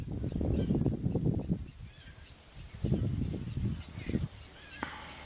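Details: Glossy ibis at the nest in Cyprus on 21 June 2018: rough, low grunting bursts in two loose clusters, each lasting about a second and a half, followed by a brief sharper note near the end.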